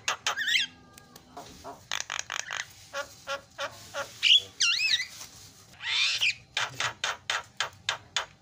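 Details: Javan myna 'isian' song played as a lure to get birds singing: mixed harsh bursts, sharp clicks and several looping whistled notes, ending in a quick series of rasping pulses.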